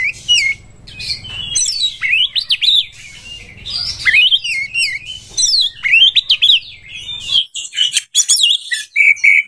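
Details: Breeding-condition Oriental magpie-robin song used to stir up rival birds: continuous bright whistles, looping upslurs and downslurs, and dense twittering trills that end in a thin, sustained high whistle.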